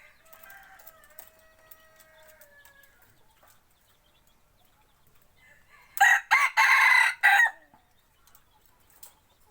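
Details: Decoy rooster kept for forest hunting: faint whistled notes from other birds at first, then a loud, hoarse crow broken into several bursts about six seconds in, followed by quiet.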